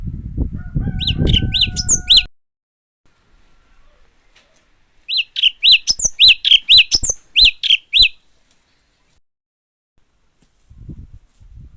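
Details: Japanese white-eye singing a three-second burst of clipped, bright chirps in rapid succession. A short steady hum and low noise are heard before it, then near silence.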